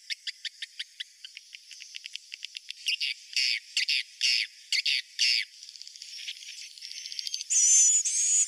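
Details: Swiftlet roosting call: quick ticking clicks speed into longer buzzy bursts, then give way to soft chatter and a loud high whistled twitter at the end.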